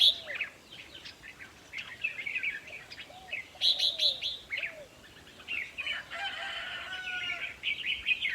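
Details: Red-whiskered bulbul song played to rouse birds during decoy trapping: scattered bright chirps and warbled phrases, with low arching whistles repeating underneath and a rasping burst in the second half.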